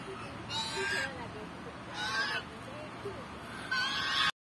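Geese giving harsh, nasal honks in three short bursts about every one and a half seconds, with a constant background hiss.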